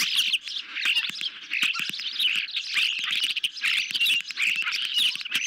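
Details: Evening feeding at an osprey nest camera, 10 July 2021, a medium-sized fish for the hungry birds; a steady wash of high, squeaky chirps and whistles with scattered short clicks underneath.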